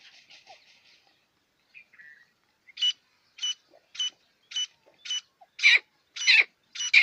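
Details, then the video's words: Black quail kept in Pakistan, calling in a rapid series of short sharp notes roughly every half second, growing louder and harsher toward the end after a few faint opening chirps. "batair sound"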